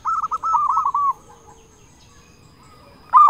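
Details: Loud-voiced local zebra dove, kept as a lure for other zebra doves: one quick rolling phrase of soft, even cooing notes, then near silence before a loud note starts again.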